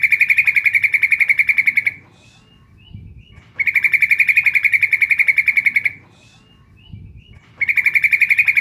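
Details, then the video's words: A female sooty-headed bulbul calls for the male, used as a lure: three loud, long trills of rapid, even pulses, each lasting about two seconds, separated by quiet gaps with faint thumps. "trucuk betina memanggil jantan"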